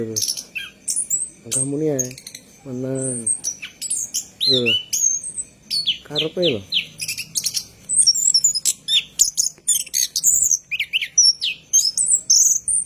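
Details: Night song of an orange-headed thrush, a lure to make caged birds sing: high, varied whistled and chattering phrases, interrupted early by a few lower, harmonic, voice-like calls, then continuous fast song.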